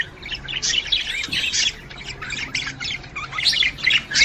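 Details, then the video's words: Budgerigar calls used to stimulate a female to breed: dense, scratchy warbling chatter of quick high chirps and squeaks in bursts, nearly continuous, with a faint low hum beneath. "صوت تحفيز انثى البادجي على التزاوج"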